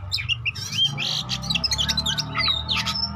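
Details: Lure song of an Oriental magpie-robin meant to spur rivals into singing: quick mix of high chirps, short sweeping whistles and scratchy notes in a fast run, with a constant low hum beneath.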